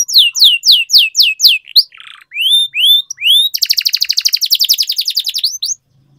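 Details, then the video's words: Trained canary singing: about eight quick descending whistles, a buzzy note, several rising slurred whistles, then a long rapid rolling trill of repeated notes and two final upslurs. "Canary Singing Training, Kenari Gacor Ngerol Panjang,Pancingan Kenari Macet"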